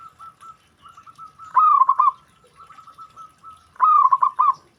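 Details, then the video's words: Zebra dove, a perkutut whose calling draws an immediate answer from other doves: two loud stuttering coo phrases, each a burst of rapid throaty notes, separated by softer, evenly repeated mellow coos. "Perkutut Lain Langsung Respon Dengar Perkutut Ini Bunyi"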